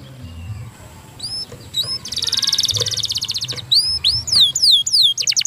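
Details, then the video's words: Canary song starting quietly with a few high notes, then a dense buzzy trill, followed by loud, varied, sweeping whistles. "Stimulating the sound of a canary is fast-sounding"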